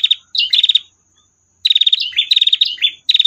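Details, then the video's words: Female prinia singing its long trill: two bursts of rapid, sharp buzzing pulses, the second longer with slurred connecting notes, after a brief silent gap. "masteran prenjak betina tir panjang"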